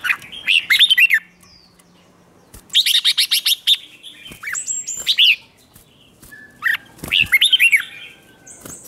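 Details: Competition singing of a red-whiskered bulbul, played to stir rival birds into song: three separated bursts of quick, rising and falling warbles, each lasting about a second, with a thin high whistle between them.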